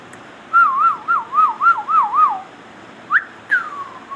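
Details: Indian ringneck parakeet whistling indoors: six evenly spaced wavy whistled notes, each swooping down and back up, then a quick rising squeak and a long falling whistle.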